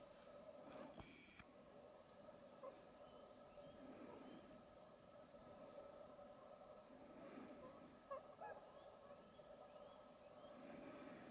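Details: A flock of whooper swans near Sunayu Onsen, Lake Kussharo, Teshikaga, Hokkaido, Japan, on 25 February 2023 gives a steady, overlapping chorus of nasal honking calls, with a few louder bugled notes rising above the murmur.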